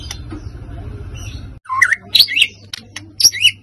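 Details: White-rumped shama provoking song: after a stretch of low rumbling noise, loud sharp whistled notes and swooping phrases with high accents break in, separated by short pauses.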